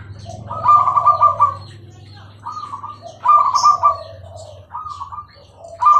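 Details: Zebra dove, Bangkok type, singing clearly: trilled coo phrases about every one to two seconds, each ending lower. A low background hum runs throughout.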